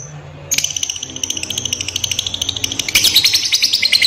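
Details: Fighter lovebird lure and tutor recording with a long ngekek trill: after a brief quiet start, sharp, high chattering notes run rapidly, then grow louder and denser toward the end.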